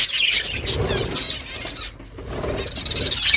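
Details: Budgerigars as a flock in the morning, exchanging calls: bright overlapping chirps and warbles, dipping briefly before a run of quick repeated squeaks at the end.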